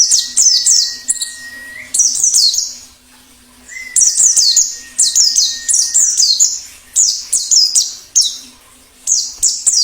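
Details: Plengi ngalas song of a wild white-eye, meant to stir caged birds and lure wild ones: rapid clusters of shrill, falling chirps with short pauses, a steady high tone underneath early on, and a faint hum.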